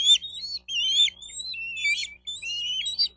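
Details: Bald eagle calling at its nest in Miami-Dade County, Florida, midday on 4 June 2023, nest camera: long squealing whistles that slide down, then a burst of sharper high chirps, over a soft low rumble.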